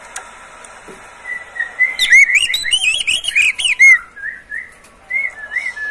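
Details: Kept Oriental magpie-robin gives soft wavering whistles that build into a dense, fast phrase of clear looping notes and crisp chips, then eases back to gentle warbled whistles; song intended to prompt other caged birds to sing.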